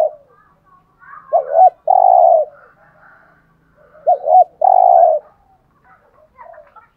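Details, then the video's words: Cu gáy, the spotted dove, cooing in the 'hạp bổi' voice for rousing captive males: two deliberate phrases of double arched notes and a sustained low coo, soft background twitters. "Tiếng Cu Gáy Giọng Hạp BổI ĐỦ BÀI { GÁY GỌI,THÚC,GÙ } Kích Bổi Nhanh Nổi"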